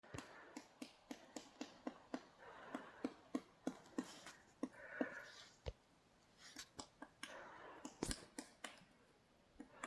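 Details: Pileated Woodpecker chopping at a tree while foraging for breakfast on a snowy morning, moving around the trunk: sharp, hollow knocks about three per second at first, then slower and irregular; a faint voice murmurs in the background.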